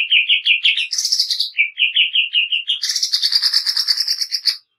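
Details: Greater green leafbird singing harshly and fast in the 'nembak kasar' style used for training. Repeated clear whistled notes break into buzzy rasping phrases, ending in a long sustained harsh chatter.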